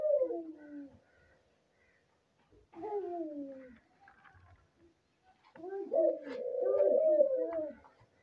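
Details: Albino dove giving its breeding call: three cooing phrases, each sliding downward with a soft harmonic tone. The first two are about a second long, and the last is longer and more warbling, separated by quiet gaps.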